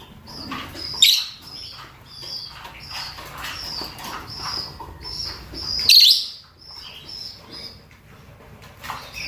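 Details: Mating calls of male and female rosy-faced and Fischer's lovebirds: busy, high-pitched chattering from several birds, with two piercing screeches roughly five seconds apart.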